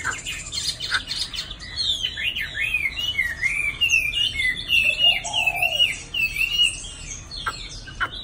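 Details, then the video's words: Chinese hwamei (hoạ mi), a fairly tame caged bird nearly two seasons old, moulting with many pin feathers, singing a rich, continuous run of loud whistled phrases sweeping up and down, with sharp clicks and a low hum. "Hoạ mi"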